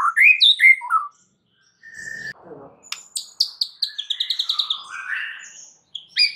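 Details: White-rumped shama lure song to make other shamas reply: loud slurred whistles, a pause, then a quick series of high, ringing repeated notes with lower warbling beneath.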